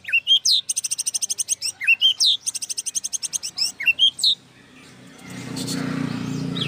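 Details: Rich varied song of a white-rumped shama: loud upswept whistles each followed by a rapid high ringing trill, repeated several times, then fading into low background noise.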